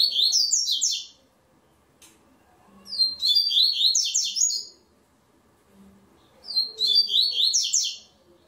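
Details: Double-collared seedeater singing for an online tournament: three brisk high whistled phrases, each about 1.5 seconds, spaced roughly three seconds apart, with faint low room sounds between.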